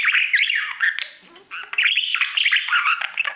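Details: Pet budgerigar warbling to its mirror in a loud, buzzy, wavering chatter of slurred notes, dipping briefly quieter in the middle before resuming.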